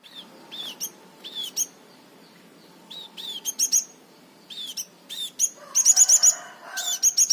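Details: Crimson sunbird singing in the unusual 'tembakan' style: scattered thin, high chirps with down-curved notes and sharp ticks, irregular at first, building near the end into fast, piercing trilled bursts of repeated notes.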